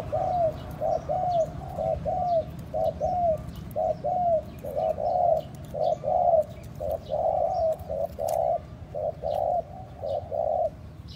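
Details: Spotted dove call for luring other doves: a long, steady series of short curved coos, near one per second, grouped into repeated phrases, with light clicks and ticks in the background.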